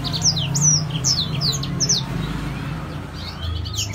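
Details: Grey singing finch in gacor song: a clear run of high, swooping slurred notes for about two seconds, then fading to softer distant twitters over a low background hum.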